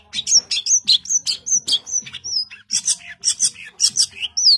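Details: Long-tailed shrike in dense, vigorous song: quick harsh bursts and sharp whistled slurs fired in rapid succession, roughly two or three per second, with few breaks.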